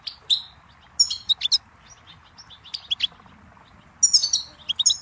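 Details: Goldfinch singing in scattered bursts of bright, high chirps and liquid twitters, with quiet gaps between phrases and faint background hiss.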